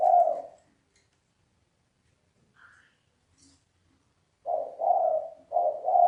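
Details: Cu gáy (spotted dove) cooing thúc bổi style, one low hoot, a near-silent pause with a faint high chirp, then three quick mellow coos at the end.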